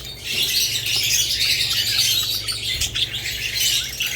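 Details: Unbroken, bright twittering from several budgerigars, fast overlapping chirps and warbles at an even level, with a faint hum below.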